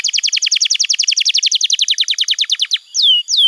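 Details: Canary training song for young birds: a rapid, even trill of repeated downward-sweeping notes lasting nearly three seconds, followed by two clear descending whistles.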